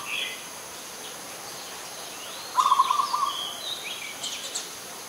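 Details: Adult zebra dove, Ubon Ratchathani, Thailand, September 2022: one short run of rapid, pulsed cooing notes midway, while another bird adds thin, higher chirps and a brief twittering phrase, over a steady high-pitched background hum.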